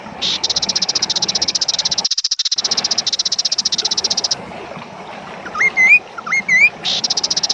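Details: Kaso kaso bird, a lively singer used for training and luring other birds: long, fast, dry rattling trill of rapid pulses, a brief pause, then two pairs of rising S-shaped whistles and the rattle again.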